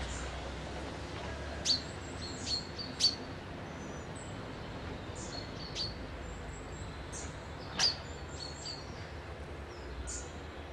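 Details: Wild birds at holiday lodges beside a loch near Dundee, Scotland: a few high, thin whistled chirps spaced irregularly over a quiet background hiss, with a louder sharp note near the end.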